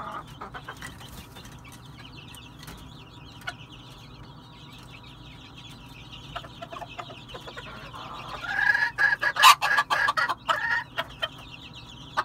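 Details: Red junglefowl, calling: after a quiet start, a burst of loud, harsh clucking notes comes in rapid, uneven succession near the end, over a steady background chorus of insects.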